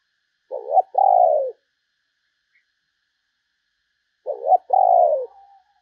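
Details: Spotted dove used as a decoy to draw in other doves repeats a low two-note coo twice, about four seconds apart: a quick fluttering note, then a longer, softly falling hoot.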